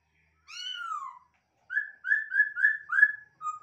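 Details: Masked laughingthrush raised in captivity: one long, drooping whistle, then five rapid, evenly pitched whistled notes in quick succession, closing with a lower short note, in a quiet setting.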